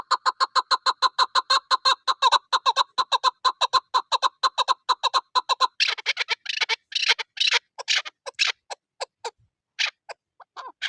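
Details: In snow, a chukar partridge kept for hunting gives a long, even series of rapid, rasping chuck notes. About halfway through they break into harsher, noisier bursts and scattered clucks with short pauses.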